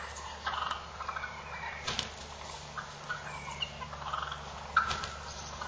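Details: Male wild turkeys fighting, giving many short, scattered, fairly quiet rasping calls and clucks through the recording, with a steady low hum and faint background noise.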